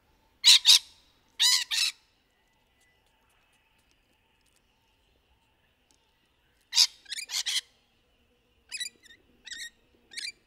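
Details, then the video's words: Rainbow lorikeets (Trichoglossus moluccanus), a native Australian parrot, in trees during courtship: two pairs of harsh broadband screeches early, then a later burst of screeches and short rapid chattering notes, with silence between. "Rainbow Lorikeet Sound and Courtship Mating Call"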